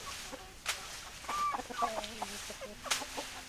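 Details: Chickens clucking in a close burst of short notes and a couple of brief whistled rising tones, with a low droning note near the end and several sharp knocks over background hiss.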